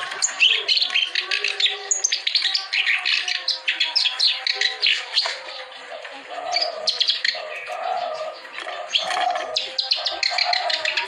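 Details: Clamorous reed warbler song intended to get silent birds singing: a long run of loud, rasping chatter and creaky, squeaky notes, delivered quickly with few pauses.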